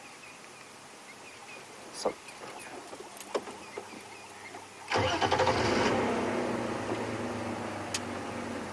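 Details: A few clicks and knocks, then a vehicle engine starts and runs loudly, with no animal calls heard.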